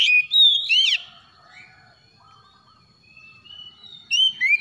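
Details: Oriental magpie-robin (kacer) calling in the morning: a burst of bright, sliding whistles and a rising-falling sweep, then near silence with faint soft notes, and a final run of clear whistled phrases.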